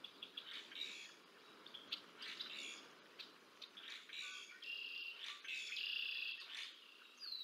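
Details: Bald eagle at the Decorah North nest on 30 March 2024, adult feeding two chicks, picked up by a nest camera; a busy run of thin, high chirps and peeps, rapid and irregular, with soft background hiss.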